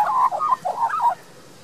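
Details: Young Australian magpie in a Queensland garden, Australia, giving a brief run of mellow, gurgling warbled notes that rise and fall, then stops; recorded on a Panasonic Lumix LX7 camera.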